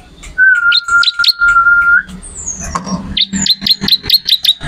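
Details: Bar-winged prinia, a training recording for songbirds with a loud, energetic song: a long, steady whistled note, then a series of sharp, chirpy notes repeated rapidly in quick bursts.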